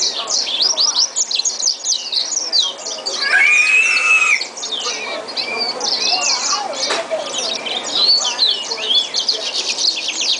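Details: A Yellow-fronted canary (green singer) and a yellow canary mule from 2011 sing together: fast, bright twittering of high chirps, trills and a few drawn-out whistles.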